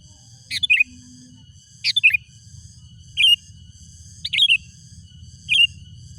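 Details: Sooty-headed bulbul, wild, calling out rivals: short bubbly whistled phrases of two or three notes, repeated about every 1.2 seconds, five phrases in all, over a low steady hum.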